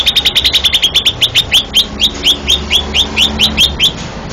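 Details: Prize-winning cucak ijo (Greater Green Leafbird) from Banten, Indonesia, delivering a long series of sharp rising whistled chips, rapid at first, then slowing to a steady beat of roughly four or five per second over low background hum.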